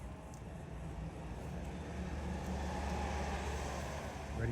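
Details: Steady wind buffeting and a low engine rumble, with faint murmured speech in the background; no animal voices stand out.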